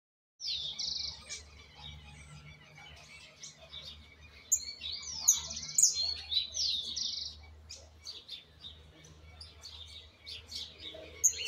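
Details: Young Argentine white goldfinch still learning its song, with flaws yet to correct: quiet, rapid, jumbled high twittering with buzzy bursts and trills, over a steady low hum.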